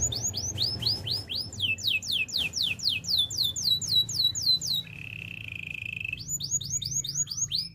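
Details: Canary training song with many quick falling whistled notes repeated about four times a second, a steady lower trill in the middle, then the falling notes return, over faint low hum.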